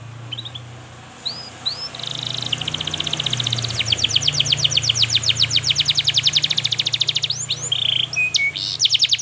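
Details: Canary in long, lively song used as a lure to teach young canaries and to restart birds that stopped singing: a few rising chirps, then fast buzzy trills of repeated high notes, over a steady low hum.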